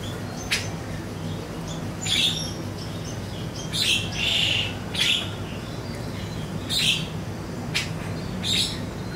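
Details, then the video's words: Siri-siri song used as a lure recording for training songbirds: sharp, high chirps and short whistled notes in separate bursts about every one to two seconds, over a steady low hum. "PANCINGAN SIRI-SIRI BAHAN DI JAMIN NYAUT"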